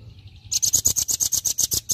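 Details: Velvet-fronted nuthatch in 'tembakan' (shot) song, a tutor recording for training other birds: after a faint start, a fast even series of about thirteen piercing high chips at roughly eight per second.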